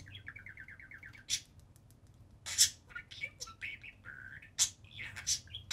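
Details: Pair of pet budgerigars playing on top of their cage indoors: a quick run of warbled, evenly repeated notes, then sharp clicks, squeaks and short squawks in an uneven, lively chatter.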